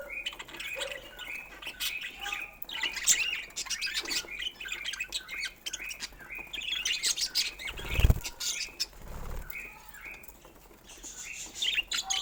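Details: Pet budgerigars chattering and squawking in a dense mix of chirps, broken by a loud low thump midway.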